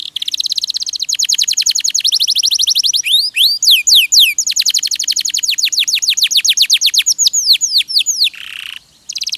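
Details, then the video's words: Canary (kenari) song meant for teaching songbirds: sustained rapid trills of high descending notes, interrupted by a burst of crossing rising and falling whistles, ending with a brief rasp. "MASTERAN KENARI RAJIN BUNYI"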